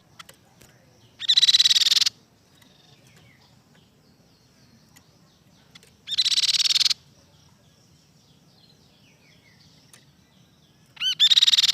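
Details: Silver-eared mesia, described as singing well: short bursts of rich, fast warbling phrases, each under a second long and repeated about every five seconds, over a quiet low hum.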